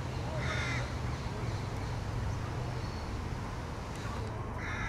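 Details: Young crow begging from another youngster: two harsh, nasal, buzzy calls with stacked harmonics, one early and one closing the recording, separated by a pause, over a constant low rumble like wind or distant traffic.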